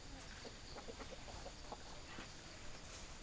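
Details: Hens clucking in short, soft bursts, a series of brief notes at uneven intervals, with some faint noise and a louder cluck at the very end.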